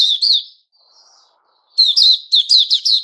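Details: White-rumped shama opening song ("buka"), 29 August 2021. A short phrase, a faint soft warble and a pause, then a rapid run of sharp, high chattering notes.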